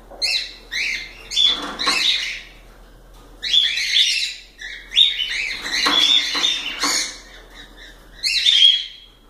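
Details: Pet cockatiels singing loudly, with clustered bright whistled chirps and squeaky trills in several bursts, some notes sliding down, with short silent gaps between phrases.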